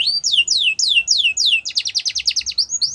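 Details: A Yorkshire canary, for song training, gives five loud downslurred whistles, then switches to a rapid, rattling trill and ends with short upward notes.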